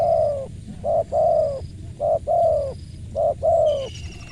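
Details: Spotted dove cooing clearly and loudly: three close phrases, each a short soft note then a longer, slightly falling coo, in a steady rhythm. A thin high whistle lies faintly beneath the calls.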